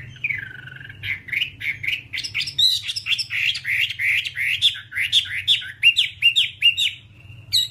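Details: Whambie on an hour-long tutor track for training caged birds, opening with a drawn-out slurred note, then a fast, uneven chatter of short upward-flicking whistles packed closely together.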